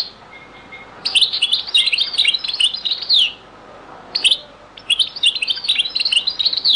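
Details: Very old recording of a European goldfinch in the Beni Messous 'les avocats' (zaboka) song style: two long, rapid, high liquid twittering runs of tinkling and buzzy notes, split by a short pause.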